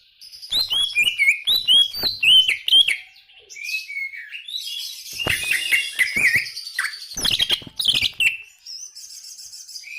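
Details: Greater green leafbird in loud, energetic song: quick slurred whistles followed by dense, high, chattering and buzzy phrases with mimic-like variety and brief pauses.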